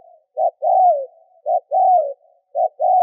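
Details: Cooing of a decoy spotted dove used to provoke wild doves. Three paired phrases, each a short burst then a sustained, slightly falling hoot, follow at steady one-second intervals. The recording is otherwise quiet.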